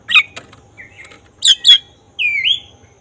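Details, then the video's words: Lure song of a lively black-breasted oriental magpie-robin, meant to stir emotion and tail spreading: short rasping bursts and brief whistles, closing with a clear, rising, slurred whistle. "Suara khas pancingan agar emosi buka ekor burung kacer dada hitam gacor"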